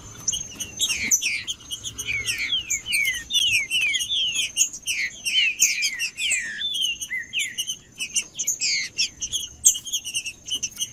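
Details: Captive green-winged saltator singing to warm up a silent captive bird. Long series of rapid falling whistled phrases sound through continuous high twittering from other birds.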